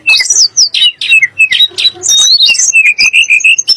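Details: Sunda blue robin, the tledek gunung, singing a song that provokes magpie-robins and shamas: dense chattering and slurred whistles, ending in evenly repeated clear whistled notes.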